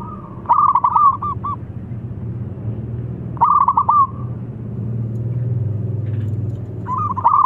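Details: Local zebra dove in full song, used as a lure to coax silent doves into singing: three separate bursts of fast, stuttering coos that end in slurred notes, with a constant low rumble between phrases.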